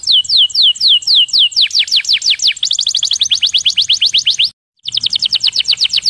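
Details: A canary sings a long rolling song used as a training recording: fast rolling trills of high, downward-sweeping notes, speeding into a continuous chattering roll, with a brief pause before resuming.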